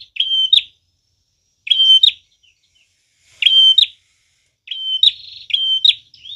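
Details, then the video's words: Actively singing prinia for luring and provoking birds: spaced whistled phrases with buzzy ends, then a faster double phrase near the close. "Prenjak tamu gacor cocok banget buat pikat dan pancingan"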